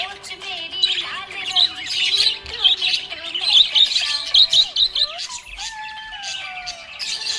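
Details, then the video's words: Cheerful budgerigar chatter: bursts of quick, scratchy high chirps that swell and fade in loudness, heard over steady background music with a sliding melodic line near the end. "Happy budgie chirping sound"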